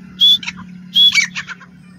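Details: Grey francolin call: loud, high, whistled notes, two long level whistles each followed by shorter, quicker clipped notes, over a steady low electrical hum.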